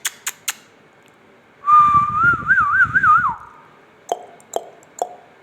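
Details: Ringneck parakeet talking: a sustained wavering whistle that climbs and bends in several quick loops for about two seconds, with a few sharp clicks before and after.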